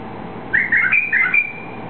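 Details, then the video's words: Liquid, cheerful whistling from a white-eared bulbul, native to eastern Saudi Arabia and released here: about five rapid bubbling notes in two close phrases, the last drawn out slightly, over low steady hum. "White-Eared Bulbul Song"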